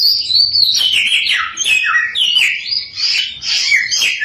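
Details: Samyong singing to goad other samyong into song; stepped whistled phrases dropping in pitch, then rising, with clear fluty notes.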